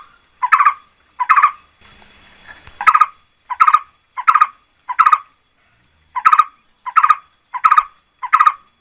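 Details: Red-whiskered bulbul lure song: short, harsh, chattering bursts with a rich harmonic stack, repeated roughly every 0.7 seconds. One brief gap near the start holds a faint rustle, then the bursts resume steadily.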